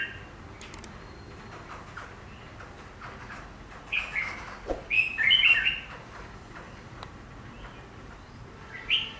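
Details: Chinese laughingthrush (Garrulax chinensis) kept as a cage bird, set facing a glass pane and reacting to its reflection; mostly quiet with faint chirps, then a burst of bright, varied whistled notes midway and a short final note.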